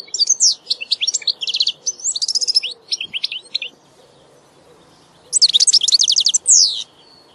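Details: European goldfinch song: varied, bright twittering phrases of quick high notes and short trills, a pause, then a fresh energetic burst of liquid, sliding notes.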